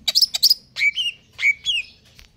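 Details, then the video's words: Greater green leafbird, caged and in stable condition, with a forceful song: two high chattered bursts followed by clear whistled notes that drop and level off, then fading softer phrases. "cucak ijo konslet kejer nembak"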